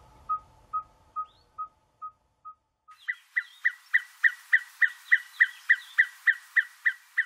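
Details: Red-fronted tinkerbird near Port Alfred, Eastern Cape, South Africa, gives a monotonous string of hollow, piping notes, at first slow and soft, then faster, louder and higher, about four per second.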